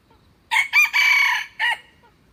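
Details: Red junglefowl crowing close and loud: two short opening notes, then one long sustained note and a brief clipped final note. The whole crow lasts about a second over a quiet background.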